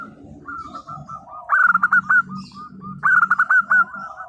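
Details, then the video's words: Eager local zebra dove song, intended to stir silent birds into answering: two loud, fast, stuttering coo bursts trailing into short downward notes, over softer cooing from other doves and a low background rumble. "perkutut lokal gacor _suara nembak perkutut lokal bisu_ 100% LANGSUNG NYAUT"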